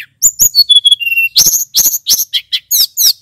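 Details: Male Snowy-browed Flycatcher lure song used to rouse other flycatchers: falling clear whistles lead into roughly three fast, harsh, buzzy chirps per second, each sharp and very high.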